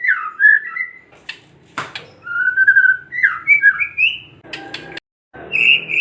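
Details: Kretekan song from a white-rumped shama, used to provoke other shamas: varied whistled and warbling phrases with sharp clicks and some harsh noisy notes, ending on a high whistle.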